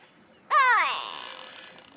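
A Grey Go-away-bird gives one loud, nasal, bleating 'gwaay' that starts abruptly, slides downward, and trails off into a harsh, breathy fade.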